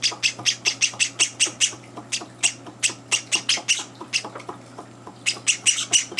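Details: Hand-raised Java sparrow chicks at morning feeding, older birds intruding; rapid, rasping squawks repeated about four per second for four seconds, a brief lull, then renewed scratchy calls, with a low constant hum beneath.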